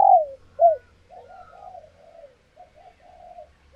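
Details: Captive female spotted dove in laying condition, calling to stimulate males; a loud falling coo and a short rising coo, then a series of softer, husky low coos.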